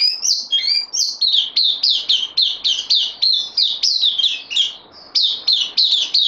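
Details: Newly arrived bulbul on loan, 12 September 2020, sings a fast run of sharp, slurred high notes, nearly three per second and fairly even, with a short pause near the end; otherwise quiet.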